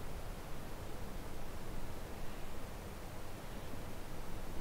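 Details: Steady broadband hiss with low rumble throughout, no animal voice.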